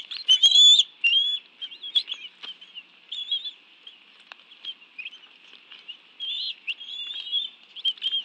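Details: Bald eagle nest at the National Arboretum in Washington, D.C., June 2017, where both adults bring fish and feed alongside two young. A loud piercing whistle opens, followed by softer scattered high chirps and light pattering rustles.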